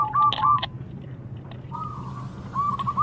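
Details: Zebra dove singing in the prized 'crystal voice' style, used as a lure for doves reluctant to sing: mid-pitched cooing phrase with a quick stuttered run of short notes, then a longer drawn coo and another stutter, over a steady low hum.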